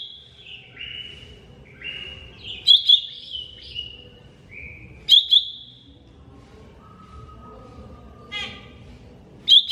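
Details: Lesser green leafbird with a long, varied song: descending whistled slurs, bright doubled chirps every few seconds, a low steady whistle and a short buzzy trill.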